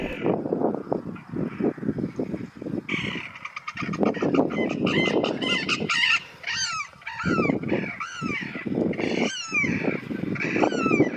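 Sarus cranes give loud, brassy trumpeting calls in rapid, overlapping bursts, after a stretch of low rumbling background noise.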